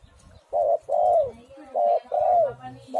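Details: Spotted dove song played as a lure to prompt other doves to call: four loud, hoarse, mid-pitched coos in two pairs, each second note longer and slurring downward, over a quiet background.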